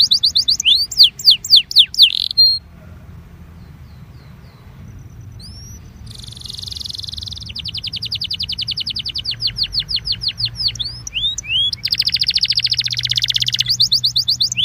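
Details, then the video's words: A Belgian canary sings as warm-up song for canaries: sweeping whistles and a buzz, a few seconds of near silence, then long rapid trills of repeated notes with rising slurs between them. "INCARTE para esquentar canario belga"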